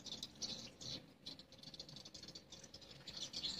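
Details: Many swiftlets in a swiftlet house by day, producing quick rattling bursts of high twittering chirps, repeated in clusters against low-level noise.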